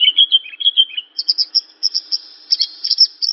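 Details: Javan bush lark song opening with lower slurred chirps, then shifting to a higher series of sharp, clipped notes repeated in quick succession, clean and without background noise.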